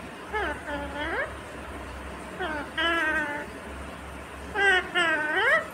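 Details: Pet Indian ringneck parakeet talking indoors, imitating a Hindi phrase asking mummy for roti: three clear voice-like phrases with rising and falling tonal contours, spaced by short pauses, over a faint steady room hum.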